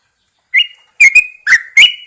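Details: Yellow-vented Bulbul in a cage placed outdoors in the morning, giving four loud, short whistled notes with a slight upward twist.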